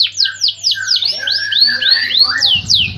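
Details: Canary song made of fast, bright, downward-sweeping whistled notes, repeated about four times a second and gradually rising. A brief low rumble comes near the end.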